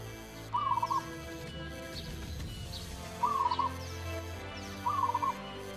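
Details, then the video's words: Zebra dove, a local perkutut singing (manggung): three short, rolling, trilled coos, each under a second, spaced a few seconds apart, over a steady low hum. "Turtledove Javanese, suara perkutut lokal manggung"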